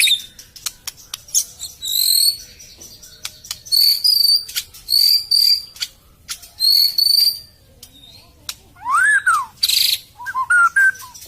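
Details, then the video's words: White-rumped shama song, used as a lure to prompt shamas that are reluctant to sing, have gone quiet, or have just finished moulting. Clear high whistled notes come in short bursts, then two lower swooping arched whistles near the end. Sharp clicks and crackles are scattered throughout. "suara burung murai batu ,pancingan murai batu males bunyi, macet, beres mabung"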